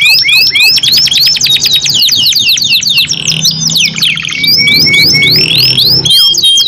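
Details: Canary pair in extended competitive song: fast series of swooping whistles, dense trills, a low sustained whistle near the middle, then more rising slurs.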